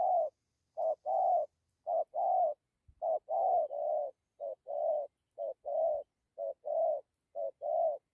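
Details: Spotted dove delivering good "gù" coos mixed with "dặm" notes: a steady series of low, hollow, paired coo phrases, each pair starting short and ending longer, roughly every three-quarters of a second.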